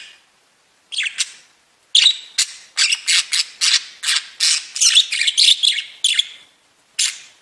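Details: Budgerigars calling loudly with a rhythmic series of short, harsh, buzzy squawks, roughly two or three each second, after an opening pause, ending with a single late squawk.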